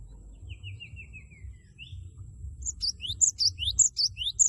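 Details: Cinereous tit in full loud song to spur a rival: opens with a lower descending trilled series, then bursts into emphatic high 'wucit wucit' paired notes, repeated quickly and growing louder.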